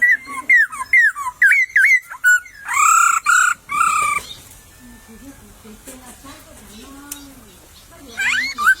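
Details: Laughingthrush in wild bamboo cover sings a fast string of twisting whistled notes, then three long, loud arched calls, followed by quieter chatter and a last sharp upsweep.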